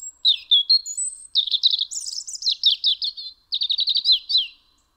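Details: European robin singing at a house window in December 2019 in Eibar, Gipuzkoa: a loud, clear, high phrase of thin whistles and fast warbled trills that jump between pitches, with a short pause before a final rapid trill.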